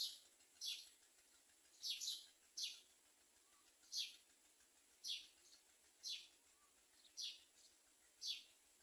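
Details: Common myna bringing nestlings for its young to eat; thin, descending chirp notes spaced one to two seconds apart, some doubled, against soft background hiss.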